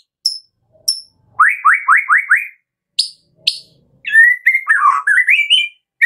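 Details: Murai batu, the white-rumped shama, singing kretekan style as a lure to set other shamas singing: thin high chips, a fast run of five rising whistles, then a long warbled phrase climbing upward.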